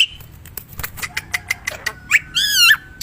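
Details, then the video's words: Black-winged myna singing in the wild, a lively bird used as a lure: scattered sharp clicks and buzzy strokes, then a hoarse rising note and a rich, wavering stacked whistle near the end. "Suara burung jalak putih"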